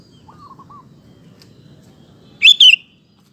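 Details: Lure song of a sooty-headed bulbul for training and provoking male birds to sing. A faint low wavering whistle comes first, then one loud clear two-note chirped phrase sliding downward near the end.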